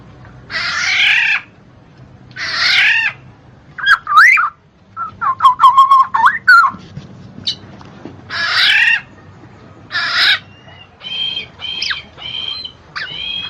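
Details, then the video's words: Black-naped oriole, played as a singing stimulus for lazy birds, alternates harsh, rasping drawn calls with fluty slurred whistles and a brief rapid warble, ending in short clear whistled notes. "SUARA KEPODANG MAS"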